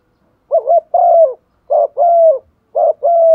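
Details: Spotted dove used as a decoy bird, cooing to provoke others to call: three repeated phrases, each a short wavering note followed by a longer level coo, about one second apart, in quiet surroundings.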